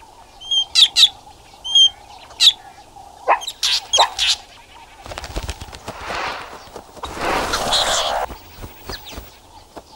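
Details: In the Kalahari in the morning, a drongo that earlier gave a genuine eagle warning gives sharp, metallic chirps and harsh calls as a false alarm meant to make foraging meerkats drop their food.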